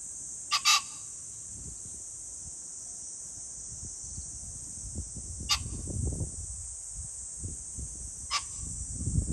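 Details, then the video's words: Pheasant on 21 July 2024 calling three times: an opening doubled harsh burst, then two single raspy calls several seconds apart, over a quiet low rumble and steady shrill hiss. "pheasant call ,キジ ,꿩"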